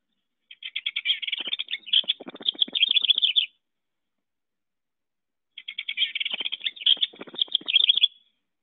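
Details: House Wren, common in Wisconsin backyards and returning yearly to the same nest spot: two bubbling, three-second songs of rapid, high chattering notes tumbling together, with about two seconds between them.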